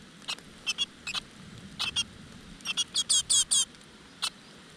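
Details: Great tit nestlings in a rock-crevice nest begging as their mother brings insects: short, high, squeaky chirps in scattered bursts, then a quick run of louder, shrill squeals before a final lone chirp, over a quiet background.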